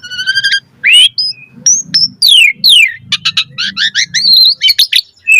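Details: Asian pied starling singing a busy mix of stacked whistles, steep downslurs and buzzy chatter, with a faint low rumble running underneath.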